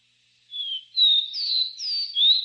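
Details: Capped seedeater (caboclinho) singing its three-note song style: a run of clear, high whistled notes, some slurred upward or downward, delivered in quick succession over about two seconds with a quiet background.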